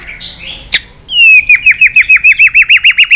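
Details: Stimulated white-rumped shama in a fighting-song bout: a soft warble, then a long series of about fourteen loud, evenly spaced whistled notes, each with a downward flick.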